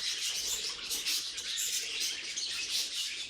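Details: Short burst of pet budgerigar warbling, a constant bright jumble of high chirps and squeaky, grating notes.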